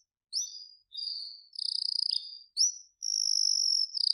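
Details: Canary song in short phrases: sweeping whistles alternating with rapid rattling trills, separated by brief pauses.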